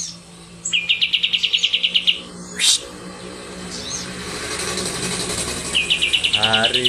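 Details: Kapas tembak white-eye of the Medan type singing short, fast rolls of bright high notes, separated by a pause with hiss and a low hum, and a clear human voice near the end.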